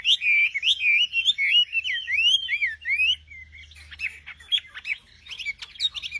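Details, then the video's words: Singing nightingale delivering a rolling run of wavering whistles, followed by scattered sharp, clipped notes and short chirps. "Singing nightingale. amazing bird song"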